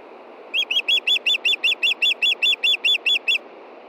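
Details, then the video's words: A female osprey begs her mate for fish at dusk, 22 June 2013, Montana, 9:53 p.m.: a steady run of about fifteen piercing, slightly downslurred whistles, fast and regular, over faint background hiss. "IRIS CALLS FOR FISH AND STAN DELIVERS!"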